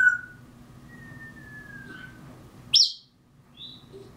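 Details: African grey parrot copying mockingbirds: a long, thin whistle sliding slowly downward, then one sharp, piercing high note and a soft brief chirp, with a steady low hum behind.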